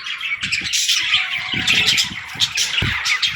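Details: Young budgerigars playing and talking, a continuous busy flock chatter of sharp chirps, warbles and short squawks, with soft low bumps from movement.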